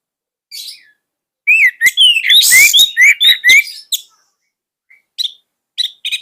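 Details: Orange-headed thrush, a song bird used to train youngsters, gives a run of clear slurred whistles rising and falling around the same pitch, with scratchy high notes between. Sparse, short chips trail off afterwards.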